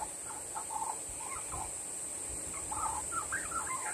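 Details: Practising young Australian magpie on a windy day, calling for a parent that flew off: quiet, tumbling warble of short slurred notes, bubbling and uneven, growing busier and a little higher toward the end, over steady background hiss.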